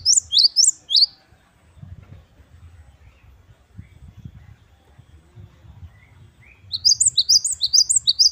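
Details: Parus major, the Indonesian gelatik batu wingko, giving its wucit-wucit kristal song. A short phrase of shrill upslurred notes comes first, then a low rumbling gap, then a longer rapid phrase of about a dozen piercing high notes.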